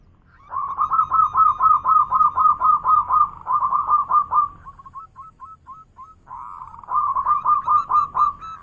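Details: Zebra dove of local stock giving a loud manggung song. Quick strings of clipped, cooing notes run almost without a break, and a few separate softer notes fill a short gap.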